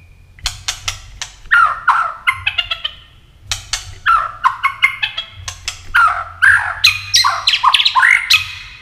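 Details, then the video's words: Contest-style 'tạch' song of a White-rumped shama, tail flicking, used to spur birds into fighting song; sharp clicks lead into tumbling, varied warbles and rising whistles in two dense phrases split by a short gap. "Chòe lửa tạch đập đuôi kích thích lửa lên lửa rất nhanh kích chim hót đấu hiệu quả"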